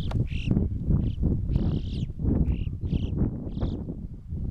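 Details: Yellow-billed chough calling in the French Alps mountains: several short, buzzy, rolling whistled calls repeated at uneven intervals about every half second, against strong low wind rumble.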